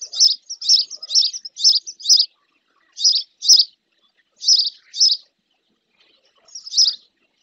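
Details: Spotless starling female bathing not far from the nest, Doñana marshland, Andalusia, Spain, fixed camera; a quick series of five sharp high chirps, then single and paired chirps at wider intervals.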